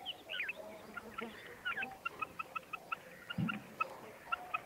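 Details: Female common quail calling: a faint series of short, clipped notes repeated roughly every third of a second after a few scratchy opening sounds, with a soft low thump midway.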